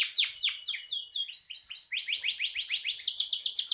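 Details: Canary in full, energetic song, used as a tutor recording for songbirds: fast, high descending sweeps and rolling trills, then a rapid series of even, repeated upslurred notes, several per second.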